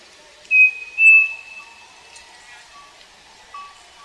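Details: On a farm, a striped cuckoo (saci) sings two clear, pure whistles half a second apart, the second slightly higher, while other birds give softer, lower whistles in the background.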